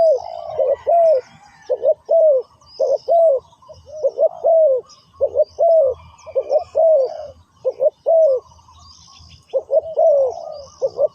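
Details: Decoy spotted dove used on the ground to draw wild doves, uttering sustained rounds of gruff coos: quick double notes and drawn-out falling coos, over low background rumble and scattered high bird notes.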